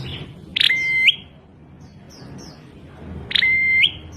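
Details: Prinia giving an unusual call twice, each a brief chirpy burst followed by a thin, level, whistled tone ending in a quick upward flick, with soft chirps from other birds in the background.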